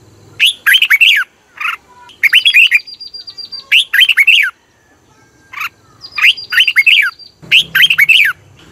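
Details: Red-whiskered bulbul song played to make caged birds lively: dense, repeated phrases of bubbly rising and falling whistles, several in quick succession, with a thin, steady high whistle and a brief low hum.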